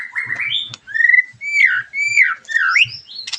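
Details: White-rumped shama singing as a lure for other shamas: clear, mellow downward-slurred whistles in sequence, ending in a harsh buzzy burst, with faint low thumps beneath.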